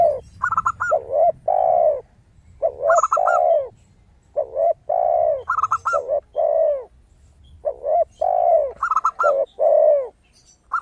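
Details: Zebra dove singing strongly, with a crystal-clear tone, used as a lure for other doves: repeated phrases, each a quick stuttering trill followed by long bowed coos, with brief pauses between phrases against a clean background.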